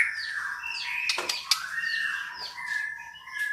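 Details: Female white-rumped shama calling to stimulate a male to sing: drawn-out whistled tones holding steady and sliding slightly, with a few sharp clicks in between.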